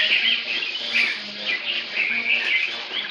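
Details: Very loud pet white-rumped shama with a long, still-growing tail, singing in captivity: a steady stream of high, twittering and whistled notes, quick varied phrases repeating without pause, with faint low hum underneath.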